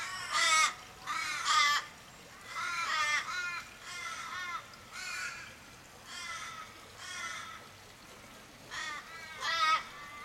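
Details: Around fifteen or more Australian ravens calling in distress over a dying mate in a suburban street in Kellyville, Sydney, July 2012; repeated harsh, drawn-out, quavering caws, roughly one per second, some overlapping, rising and falling in loudness.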